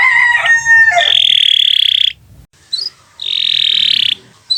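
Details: Canary in full song, recorded as a long training song for other birds: mixed warbled phrases lead into a sustained buzzy trill lasting about a second, silence, then another long rattling trill.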